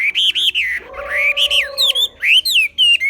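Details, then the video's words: Chinese hwamei, a highland bird from Ha Giang, Vietnam, kept in captivity, singing strong looping whistles with brief pauses between phrases, while a lower steady droning tone runs under the middle of the song. "Họa mi xoè"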